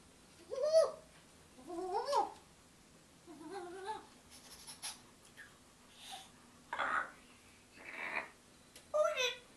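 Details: African grey parrot talking to the family dogs inside the house: a string of softer, bending harmonic syllables and mumbled speech-like phrases spaced every second or two, with breathy, hissy sounds between them.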